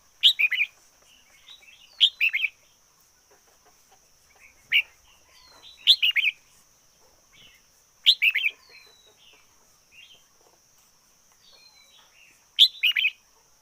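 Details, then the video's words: Decoy red-whiskered bulbul in song, giving short rich chortled bursts of two or three notes every two seconds or so, with quieter thin whistles between and a constant high-pitched hum behind. "Chim chào mào mồi hót căng lửa nhất 2021"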